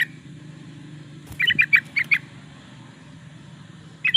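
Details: Yellow-vented bulbul (trucukan) lively song for luring or training caged birds: one quick run of about six bubbly, gurgling notes after a faint knock, with a steady low hum underneath.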